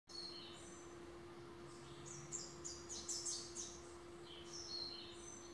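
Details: A tired-looking male rufous-capped warbler sings to his own reflection on a balcony in the breeding season: a loose run of high, thin chips and quick twittering phrases over a steady low electrical hum.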